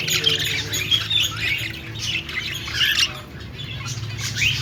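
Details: Budgerigar chirping: rapid, scratchy warbles and bright tweets come in bursts throughout, with a steady low hum in the background.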